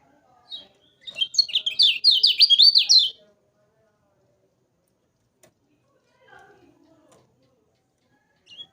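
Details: Lemon-bellied white-eye energetic tutor song: a dense two-second chatter of quick, high, zigzagging notes, followed by quiet with faint lower sounds and a last chirp.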